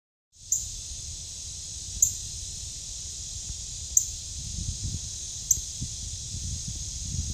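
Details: Male Northern Cardinal in the Ozarks, August 2022, gives four sharp, high metallic chips about every one and a half seconds over a steady droning insect chorus and low rumble.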